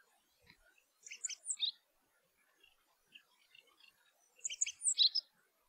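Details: Rock Bunting (Emberiza cia): two brief high twittering phrases of sharp tsip notes ending in a slightly buzzy flourish, the second one louder, with a few scattered faint notes between them.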